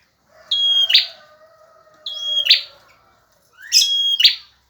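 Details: Active male bar-winged prinia in full song, kept as a tutor recording for other birds: three loud phrases, each a level high whistle ending in a rough buzzy burst, spaced by short silences.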